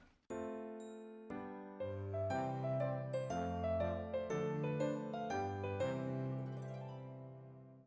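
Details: A bright chiming melody of piano-like notes plays, with no animal voice present.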